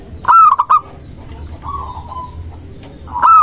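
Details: Local zebra dove singing for use as a rival-provoking lure: a choppy stuttered burst, then a softer drawn-out wavering coo, and a fresh loud phrase beginning at the end, over faint low rumble.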